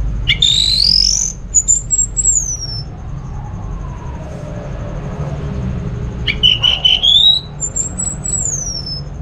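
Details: Orange-headed thrush singing, played to lure other thrushes into song: bright rising whistled phrases and long downward-sliding high notes in two bursts separated by a pause, with steady low background rumble.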